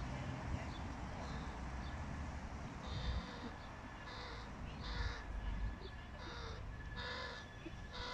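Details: A fluffy fledgling crow being fed by its father gives harsh, nasal, rasping begging calls in quick repeated bursts, about two a second, over a steady low traffic rumble.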